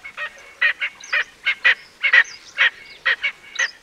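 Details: Loud grating cackle of an Erckel's francolin, harsh notes delivered singly and in pairs at roughly two per second, with faint thin squeaks between them and a quiet background.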